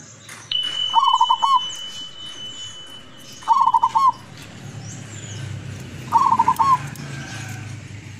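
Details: Lurah-type zebra dove, a local wild decoy bird from Tuban, East Java: three evenly spaced, rippling coo phrases about every two and a half seconds, with a thin steady high tone in the background early on.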